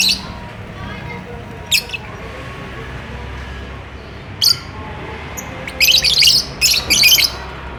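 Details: Lovebird in courtship, wanting to mate, caged; scattered short shrill chirps, then a fast run of grating squawks in close succession toward the end.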